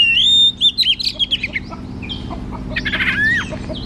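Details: Caged white-rumped shama song used to stimulate a shama reluctant to sing: a sustained clear whistle followed by a rapid series of rhythmic chattering notes, then a buzzy rising phrase.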